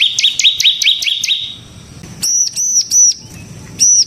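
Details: Bar-winged prinia, called ciblek semi, singing 'ngebren' as a lure for other birds: a quick run of sharp slurred notes, then a few separate high, looping whistled notes.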